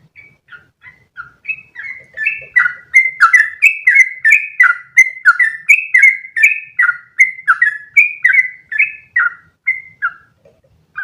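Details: Sooty-headed bulbul building a long one-breath rolling song, a model for other birds to copy: soft scattered notes at first, swelling into a fast, dense chain of warbled whistles, then tapering off.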